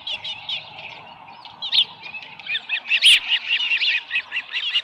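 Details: Early-morning Osprey at the nest, 13 July 2018, holding a small live fish; thin high whistles rising into a string of sharp, slightly squawky chirps.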